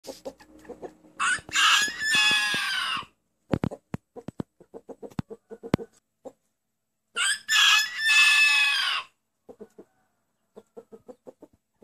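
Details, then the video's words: Rooster whose crow is said to sound like "anneanne" (Turkish for grandmother): two long, harsh, raspy crows about five seconds apart, each near two seconds, with soft low clucking and sharp clicks between them. "Bu Horoz Anneanne Diyor"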